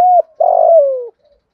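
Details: Thổ-style spotted dove lure call meant to draw in wild birds: a steady low coo, a brief pause, then a rich throaty rolling coo that slowly falls in pitch and stops abruptly.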